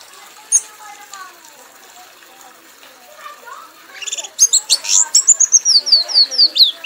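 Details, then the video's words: Red-whiskered bulbul, a champion kept bird, singing wildly until exhausted: after a few quiet seconds of faint background chatter, a fast run of high, clear downslurred whistles and chips bursts out, delivered in a rapid, slightly irregular string. "kanis merah bunyi sambil mabok sampai lemas"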